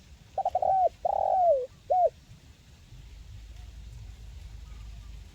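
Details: Spotted dove (local tekukur) call meant to coax quiet birds into song: one phrase of quick notes, a long sliding coo and a closing hoot in the first two seconds, then only steady low hum.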